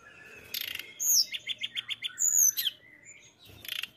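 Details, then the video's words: Mountain tailorbird singing: a harsh rasp, then a quick series of about eight evenly spaced high notes, thin whistled slurs and a final scratchy burst, with quieter background chatter. "TLEDEKAN GUNUNG GACOR"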